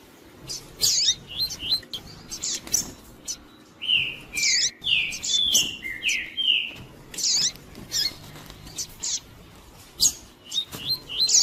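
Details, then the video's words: Double-collared seedeater giving the pure "tui tui" song, used to warm up and provoke males: a run of clear, descending whistled notes repeated in quick succession, mixed with sharp, very high chirps before and after. "ESQUENTAR QUALQUER COLEIRO TUI TUI PURO"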